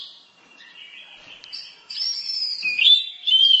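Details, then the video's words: Orange-headed thrush, tutor recording: soft warbling at first, then louder sustained whistled notes that glide downward and rise again in a clear, sweet phrase. "Berbagai kicau burung anis masteran"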